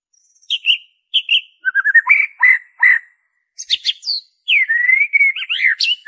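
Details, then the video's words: White-rumped shama song in its original form with no inserted imitations, used to get shamas singing: paired sweet notes, a fast rising chatter, strong slurred whistles, sharp high calls, then a long clear whistle into varied twitters. "PANCINGAN SUARA MURAI BATU ORIGINAL TANPA ISIAN"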